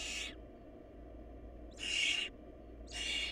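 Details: Barn owl nest in a period of food shortage; older nestlings survive on a dead sibling. Three rasping, noisy hiss bursts, the middle one loudest and longest, separated by quiet gaps with faint background hum.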